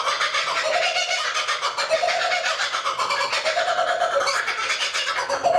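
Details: Kookaburra in a lakeside tree in Australia, a single bird perched quietly; fast, harsh cackling pulses run continuously, with lower rising hoots surging about every second.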